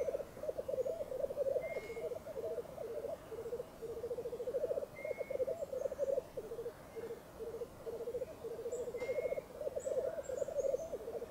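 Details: Several Black Grouse males, at least five or six, lekking on a frozen bog at sunrise, no wind: pulsing bubbling phrases rise and fall in waves, with three short rising whistles and a few faint high notes above.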